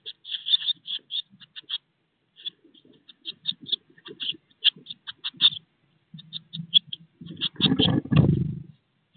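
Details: Eurasian blue tit chicks, 16 days old, in a nest box shortly before leaving it: short, high, thin pips repeated in quick irregular bursts, with rustling and shuffling inside the box and a steady low hum.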